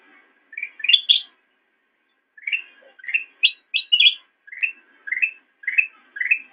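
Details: Black-crested bulbul song recorded as master audio for training cage birds: a bright bubbly burst, a two-second pause, then a run of quick chirpy whistled phrases spaced about half a second apart, some higher and sharper.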